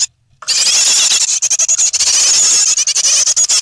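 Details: Three great tit nestlings in the nest on 9 May 2017, shortly before fledging; loud, dense high-pitched squealing chatter after a brief silent start, pulsing in quick overlapping bursts.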